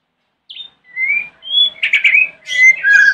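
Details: White-rumped shama in morning song used to provoke rival shamas into answering: a thin high note, then clear rising whistles building into rich, fast warbling phrases.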